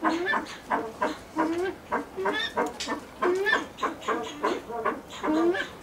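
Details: Blue eared pheasant kept at a pheasant breeding farm, calling in steady bursts of rich harmonic notes that swoop up and then fall, about every second.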